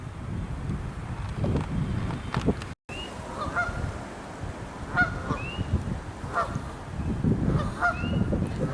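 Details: Geese in conversation on a second pond at Succop Nature Park, Penn Township, Butler County, Pennsylvania, on a cold 1 April 2022 with snow showers, trade nasal honks singly and in short bursts over steady wind rumble, with a thin rising whistle.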